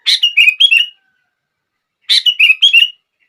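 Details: Sooty-headed bulbul song used to set other bulbuls singing: two clear, bright phrases about two seconds apart, each a quick run of three or four sliding whistled notes, with silence between and no other sounds.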